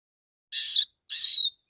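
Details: Male oriental magpie-robin giving two loud, clear, slightly falling whistled notes, each about a third of a second, with a short gap between; crisp 'ngeplong' open-voiced delivery and no other sounds.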